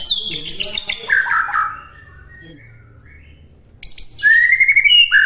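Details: White-rumped shama singing in a master recording meant for other birds to copy: a tumbling run of high notes falling into lower warbles, about two seconds of near silence, then a clear rising whistle.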